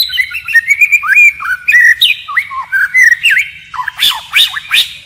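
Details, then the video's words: White-rumped shama song in forest style, switching voice constantly: sweet whistled slurs and rising-falling notes, ending in a run of sharp, emphatic downward-swept calls. "Chích chòe lửa hót giọng rừng hay đảo giọng liên tục"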